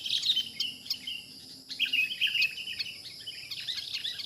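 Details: Wild sooty-headed bulbul being trapped gives rapid, lively chirps and short whistled notes in two busy bursts, with a constant high-pitched insect drone behind.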